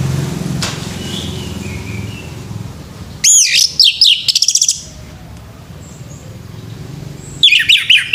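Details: Male orange-headed thrush singing in the morning: two bursts of high, rapid warbled and slurred whistled phrases, separated by a long quiet gap with low background hum.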